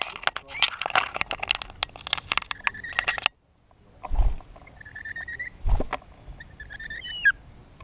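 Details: Curious lorikeets close to the camera, biting at it: about three seconds of dense, harsh, screechy chatter, then a pause and short, clear whistled calls with a few low thuds, probably from contact with the camera.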